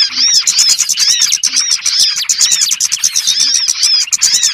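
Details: Lure call for catching small birds, heard as a continuous jumble of many high, thin chirps and looping whistles crowding over one another without a break.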